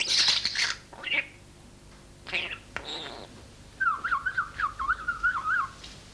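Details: Corsica, a young pet common starling that talks and whistles La Marseillaise, chatters in its cage after a bath: a few harsh, squawky bursts, then a wavering, warbled whistle rising and falling quickly for about two seconds.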